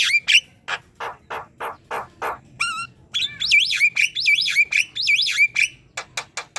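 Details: Tutor song of a black-winged myna for training other birds, opening with rapid harsh rasping notes, a brief whistle, then a string of looping rising-and-falling whistled phrases and sharp clicks.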